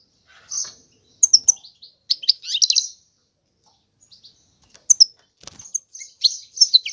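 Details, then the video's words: European goldfinch singing in scattered bursts of high, tinkling twitters and liquid chirps, separated by short silences. "تغريد الحسون هو اجمل صوت العصافير"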